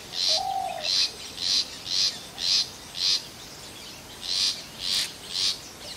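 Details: Long-tailed shrike repeating scratchy, buzzy call notes, ten in all, roughly every half second with a brief pause midway; a faint low whistle is heard at the start.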